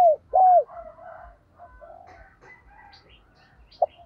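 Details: Decoy spotted dove cooing to call in wild doves. It opens with two strong arched coos, and then softer warbling, mellow murmurs follow. A single short coo and faint high chirps of other birds come near the end.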